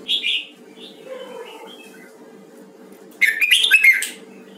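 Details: Huế red-whiskered bulbul being trained in voice: an opening bright warbled phrase, softer lower notes, then a second loud, fast run of slurred whistled notes near the end, all over a constant low hum.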